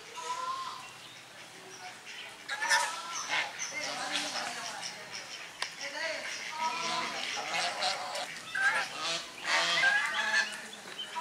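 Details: Domestic swan geese and grey domestic geese drying themselves give repeated nasal honks and gabbling calls from several birds, with splashing and flapping noise throughout.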